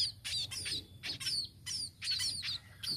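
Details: Tame sparrow calling in bright, high downslurred chirps, about six short bursts in three seconds with brief gaps between.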